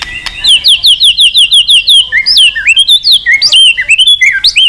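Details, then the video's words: White-rumped shama calling a rival: a quick series of repeated high slurred whistles, then loud varied swooping phrases in a rapid, musical stream. "Suara Burung Murai Batu Gacor Memanggil Lawan"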